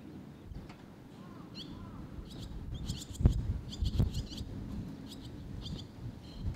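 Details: Barn swallow young waiting side by side for food in Sendai, June 2021; high forked chirps come in clustered bursts, several close together near the middle, with thumps and low rumbling noise underneath.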